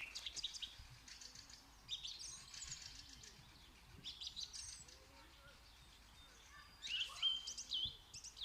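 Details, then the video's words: Birds chirping outdoors: scattered thin, high tweets and short twittering bursts, growing louder and busier near the end, over a low background murmur. "Amazing sounds of the bird"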